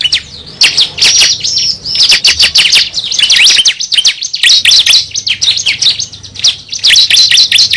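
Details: Cible bird, played as a trapping lure: almost continuous high, scratchy chirping and rapid notes, pausing briefly near the middle before the chatter resumes.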